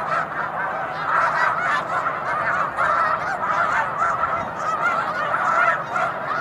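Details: Crowded chorus of Snow Geese gathered on Cayuga Lake in March, nasal barking honks overlapping densely and continuously, a few sharper calls standing out near the start.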